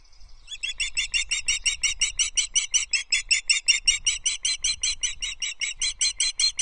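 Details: Loch Arkaig osprey nest, 19 May 2023, during feeding after the male delivers a small breakfast to the female. A long, steady string of about thirty shrill, whistled chirps repeats at an even quick pace, loud and clear against a quiet background.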